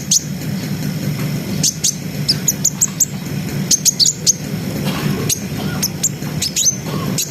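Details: Chattering brown-throated sunbird song, meant to stir breeding arousal in young birds: scattered sharp high ticks and short whistled flicks in irregular clusters, over a constant low background hum.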